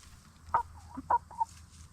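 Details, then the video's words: Hens, Black Star and Bielefelder, settling for the night in a movable chicken tractor; three distinct short clucks, two sharp and one softer, with a low hum beneath. "Relaxing Hen Sounds - Chickens In Chicken Tractor"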